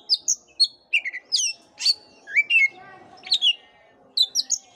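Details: Oriental magpie-robin song played to encourage a listless bird; lively sequence of loud whistled notes, sweeping slurs and sharp chirps, delivered in quick, varied bursts.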